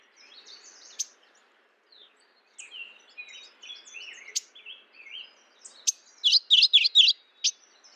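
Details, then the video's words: Mourning warbler calling: after scattered thin chirps from other birds, a loud, quick series of about five burry, rolling high notes rings out near the end. "Mourning warbler Calling."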